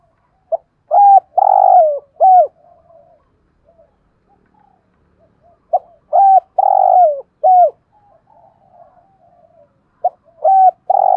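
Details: Decoy spotted dove, thổ-style voice, cooing to call wild doves: three loud phrases about every four and a half seconds, each a short note, two hollow coos and a drawn-out falling coo, with soft murmuring notes between.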